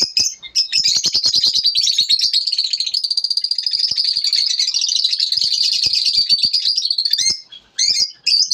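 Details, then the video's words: Lovebirds in the morning chirping in a dense, continuous high twittering chatter of rapid repeated notes, with sharp clicks running through it. "lovebirds morning 🌅 natural sound"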